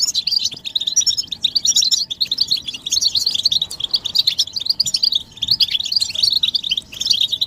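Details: European goldfinches in collective twittering, mating and readiness calls said to make a male sing without interruption; an unbroken run of high, bright chirps with buzzy trills rising and falling in intensity.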